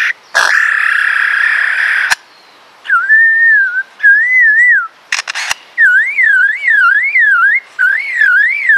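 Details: Male lyrebird performing his repertoire: a harsh burst, clear whistles around two kilohertz, smooth slurs, rapid up-down warbling trills and a laser-like sound that is one of his natural calls, with sharp clicks between.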